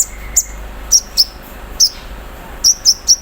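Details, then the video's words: Morning song of a caged olive-backed sunbird set out in the dew, with imitated embroidery-machine phrases in a 'cerrr' style. A handful of very high, piercing chip notes come singly, then in a quick run of four near the end. "KONIN KELUAR ISIAN MESIN BORDIR, CERRR SAAT DI EMBUNKAN PAGI HARI"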